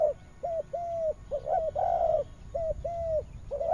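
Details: Spotted dove from Vietnam's western region, cooing in a series of short, level, mellow coos with a few longer drawn notes, pausing briefly between phrases; faint steady hiss in the background.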